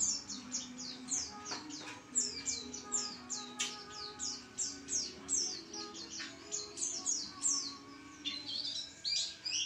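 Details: Vigorous white-eye song: continuous shrill twittering, quick slurred high notes packed in rhythmic bursts, over a low background hum.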